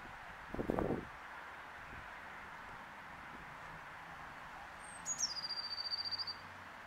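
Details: Blue tit giving a single call phrase near the end: two very high, thin notes that run straight into a rapid, slightly descending churring trill of about a dozen pulses. A brief low thud sounds earlier over faint background hum.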